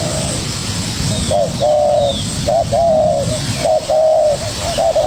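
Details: A young spotted dove answers a decoy bird eagerly. It gives low cooing phrases, each a brief coo followed by a longer level, slightly burry one, repeated about once a second over a steady background hiss.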